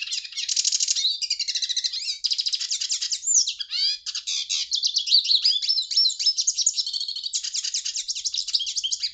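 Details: Hooded siskin singing without a break: a fast, varied twitter of high chirps, buzzy trills and upslurred whistles running into one another for about nine seconds.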